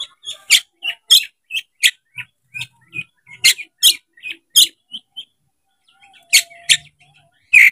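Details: Tail-spreading kacer, an Oriental magpie-robin, sings to provoke a rival into fighting: rapid run of short, sharp chips and bright whistled notes, fairly evenly spaced, then a short pause before the last few loud notes.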